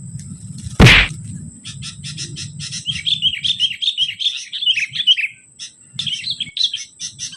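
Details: Sooty-headed bulbul recorded while being lured at a trapping spot: a loud thump near the start, then bubbly, warbled chirping phrases rising and falling, with short repeated chips and a low rumbling background.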